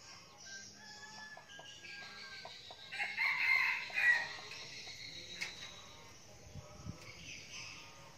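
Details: Red junglefowl decoy bird, a frequent crower, in Bình Phước, Vietnam, giving one hoarse, multi-part crow around the middle of the recording over a steady high hiss of insects.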